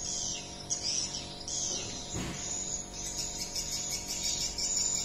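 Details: Swiftlet adult clicking beat, called ketukan induk, in an edited roosting lure sound for swiftlet buildings: a steady high chittering band with one sharp broadband click midway, over low electronic hum.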